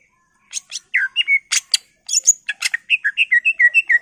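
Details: Greater green leafbird singing in a lively gacor style, used as a lure to get other leafbirds singing: after a brief silence, a fast run of sharp clicks and whistled notes, then a string of slurred, down-curving whistles repeated about three per second.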